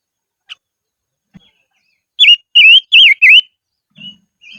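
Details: Silver-eared mesia used as a decoy bird, singing in the highlands: a quick run of four loud, slurred whistles, each dipping then rising, after a few faint soft notes and a low thump.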